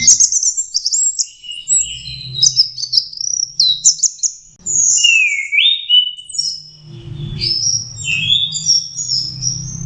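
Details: Young orange-headed thrush learning to sing: a varied run of high whistled phrases and twittering notes, with slurred descending whistles midway and quick chirps toward the end, over a low steady hum.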